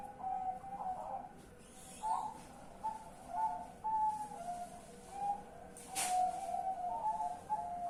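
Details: Zebra dove heard at night on 10 March 2021, repeating soft whistled coos in a long run, a few notes slightly higher, with a sharp knock partway through and low room hiss.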